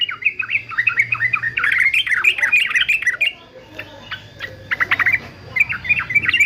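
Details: Singing-training recording of a fighter male yellow-vented bulbul: lively warbled phrases of quick up-and-down whistles, a break with scattered sharp clicks, then the bubbly song resumes.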